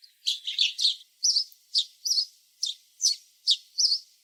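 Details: Noisy house sparrows in a backyard chirp steadily, sharp high notes repeated a little over twice per second, some doubled or slightly buzzy, with no other sounds intruding.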